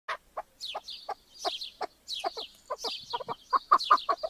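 Chukar giving a rapid run of harsh, clucking chuck notes, about two to three per second, with a thin high squeaky note running alongside.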